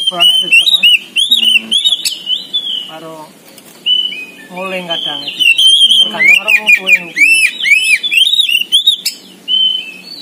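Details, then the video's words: A caged Oriental magpie-robin (kacer poci), a village-level contest winner, pours out a loud, varied song of sweet whistles and quick slurred notes with rapid chattering runs between phrases, while people talk nearby. "BURUNG KACER POCI GACOR"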